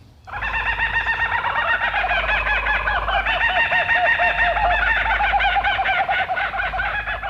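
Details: An injured Laughing Kookaburra being nursed back to health gives its loud, rollicking laugh: rapid chuckling notes rising into a sustained cackling chorus for several seconds, with a faint low hum beneath.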